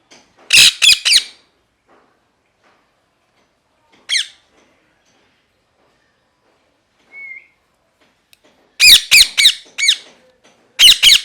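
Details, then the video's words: Parrot, described as a pet, possibly a ringneck or green parrot, angry and screaming: loud harsh squawks in bursts, a quick series of five near nine seconds and another at the end, a single thin whistle between, in a quiet room. "Parrot Chirping Sounds | Natural Parrot Sounds | Parrot Calling Sounds"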